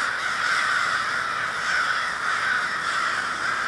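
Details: Large flock of crows, Minneapolis, Minnesota, 20 February 2020, filling the air with a constant jumble of harsh caws, some nearer calls briefly louder than the rest.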